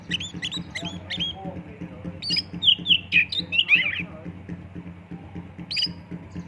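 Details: Kacer, or oriental magpie-robin, giving a lure song full of imitations with 'tembakan' bursts: scratchy chirps, then a loud cluster of harsh squawking and whistled notes around three seconds, over a constant low hum.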